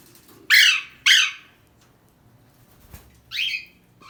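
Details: Alexandrine parakeet, a parrot trying to escape, gives two loud harsh squawks close together, then a third shorter rasping call after a pause, over a quiet indoor background.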